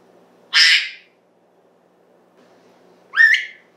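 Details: African grey parrot indoors giving a harsh broadband squawk, then after a two-second pause a buzzy upward-sweeping call.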